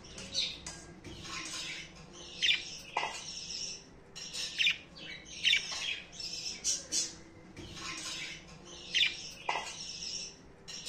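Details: Young budgerigars react to voices with harsh, scratchy squawks and chirps in short repeated bursts while their cage is being cleaned.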